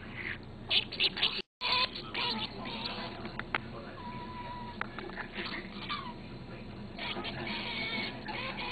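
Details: A pet budgerigar chatters back to another budgie's video playing on a computer, in quick, scratchy warbles with chirps, clicks and a brief whistled note, over faint music and voices.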